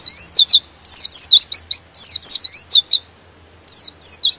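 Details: Energetic high-pitched twittering of a white-eye (pleci), said to trigger other white-eyes to sing; quick runs of slurred, piercing notes for three seconds, a short gap, then a few more swooping whistles.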